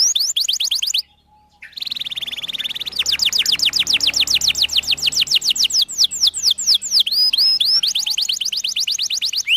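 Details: Canary in long 'gacor' song for young birds learning to sing: high notes, a sudden short silence, a sustained buzzy whistle, then a long rapid trill of tight clicking notes ending in looping phrases.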